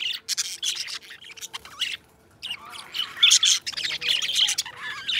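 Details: Two budgie best friends singing and talking, with squawky, buzzy chatter and thin chirps, a short silence, then a louder run of grating, warbled phrases.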